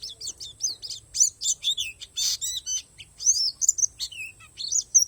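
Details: High sweet twittering from a Borneo palas oriental white-eye: quick series of slurred chirps, a louder noisy burst midway, then rising and falling whistled notes spaced apart.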